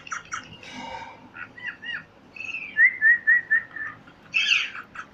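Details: Parrot whistling a run of short, evenly spaced falling notes, preceded by softer chatter and followed by a harsh squawk.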